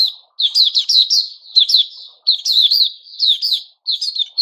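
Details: Puteh Raja, a white-crowned shama in its moulting season, 6 September 2021, singing short clusters of sweet, slurred whistles and chips, each burst lasting about a second with short breaks between.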